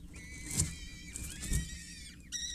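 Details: Young peregrine falcons, six to eight days old, four in the nest at Scheveningen, call as a parent bird feeds them on 8 May 2023; drawn-out thin wailing notes with soft thumps and bumps beneath.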